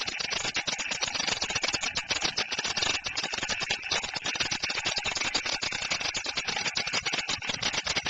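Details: A pair of white storks at their nest with eggs in Przygodzice, Poland, on 3 May 2012, fiercely drive off an intruder: a fast, dry, wooden bill-clattering rattle that runs unbroken, harsh and hissy, with background noise underneath.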